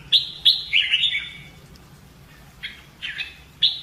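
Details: Red-whiskered bulbul giving fighting song in voice training: two sharp bright notes, then a warbled descending phrase, a pause, and renewed bursts of slurred whistles near the end, over faint low hum.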